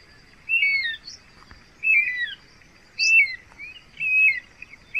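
Guira cuckoo giving loud, high whistled phrases that slur downward, four in five seconds, each with a rapid tumbling twist, over a faint background hiss.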